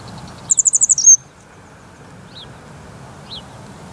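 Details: Camcorder recording of a grey wagtail in the San Pedro del Pinatar salt-pan park, Murcia, Spain: a fast string of six piercing high notes ending in a brief whistle, followed by two faint, distant down-slurred chips.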